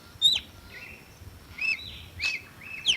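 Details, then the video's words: Short bout from a red-cowled cardinal: a bright, descending whistle, a softer, level note, then three clipped whistles with upward flicks, spread over three seconds against a faint, steady, high hum. "Som limpo do canto🎵 do Cardeal do Nordeste"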